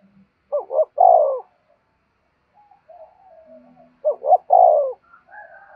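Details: Spotted dove cooing to lure other doves, in the 'thúc bổi' style. Two hollow phrases, each of quick notes and a long, low coo, sound about three and a half seconds apart, with faint tonal sounds between them.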